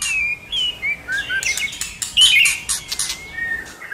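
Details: Varied White-rumped shama song used to stir a shama into song: soft whistled notes and slurs interrupted by loud clicking bursts, ending with a thin sliding whistle.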